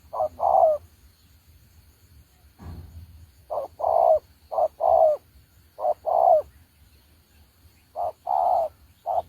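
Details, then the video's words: Decoy spotted dove used in bird trapping coos repeatedly in low paired notes, short then long, in irregular groups with a soft thud early on. "Bẫy chim cu gáy"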